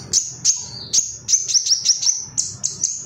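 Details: High, piercing chirps from an agitated male Ruby-cheeked sunbird (sogok ontong) seeking rivals, delivered at close to three per second with uneven spacing, each note short and slightly downslurred.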